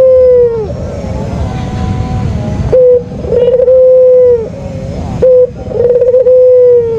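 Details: White Barbary dove lure calling: drawn-out, gently trilled coos that tail off downward, each introduced by a brief steady note, repeated about every two and a half seconds against low-pitched noise.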